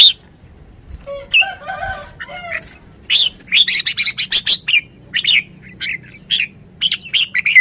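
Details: Decoy red-whiskered bulbul in a cage, singing quick series of sharp, whistled chirps repeated in energetic bursts, after a few softer, lower notes at the start.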